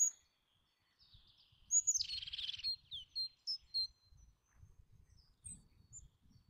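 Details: Eurasian jay giving a single harsh, rasping screech of about half a second, with thin high chirps from a smaller bird before and after it and faint low background rumble.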